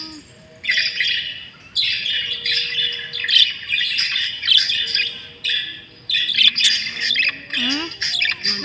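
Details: Budgies chattering in repeated bursts of squeaky, buzzy warbling about a second apart, separated by short pauses, with a faint human voice briefly audible near the end.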